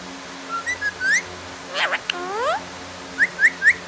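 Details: Pet parrot, said to be talking, indoors. It gives a varied run of whistles, then loud swooping slurred notes. The run ends with four sharp rising chirps repeated about every quarter second.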